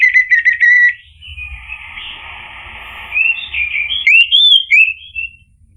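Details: Orange-headed thrush song as a lure for a male: a clear repeated whistled note series, a long softer buzzy stretch, then sweet sliding whistles rising and falling.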